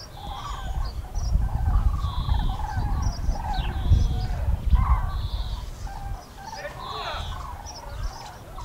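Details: Common cranes flying over the Eifel, Germany, on 6 March 2018 call in a busy, overlapping chorus of rolling trumpet notes, partly masked by strong low wind-like rumble.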